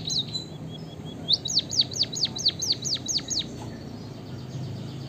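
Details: A singing white-headed munia, the emprit kaji, gives a brief high note, then a rapid string of about nine sweet, arched whistles that swoop up and fall away, evenly spaced, before going quiet.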